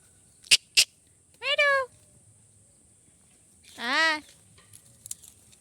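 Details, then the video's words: Parrot giving two drawn-out, harmonic, downward-bending squawks about two seconds apart, preceded by two sharp clicks, in a quiet room. "Parrot Chirping Sounds | Natural Parrot Sounds | Parrot Calling Sounds"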